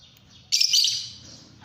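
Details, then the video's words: Fischer's lovebird, a pet lovebird, bursting into sharp, high-pitched chattering chirps that fade into a thin, steady twitter over low background hum. "beautiful Fischer parrots | love birds singing songs"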